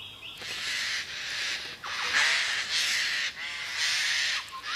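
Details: Male eclectus parrots in far northern Australian monsoon rainforest, arriving at a female's nest tree at the same time, squabble with loud, harsh, grating screeches in a quick run of four or five rasping bursts, each about a second long.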